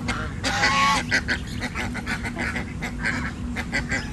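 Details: Domestic goose on an Indian village farm, with a day-6 gosling: a brief harsh honk early on, then a string of soft rapid clicks and small notes, faint hum behind.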